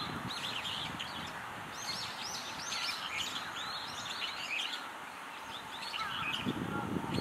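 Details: Brown-eared bulbuls feeding on cherries, swallowing them whole; sharp, high arched chirps come in quick irregular bursts over steady background noise, with a few lower whistled notes near the end.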